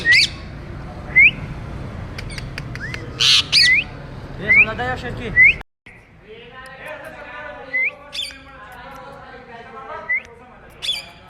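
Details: Tree-climbing pet Indian ringneck parrot repeatedly giving short rising whistled chirps mixed with a few harsh squawks, with some low voice-like murmuring in the background.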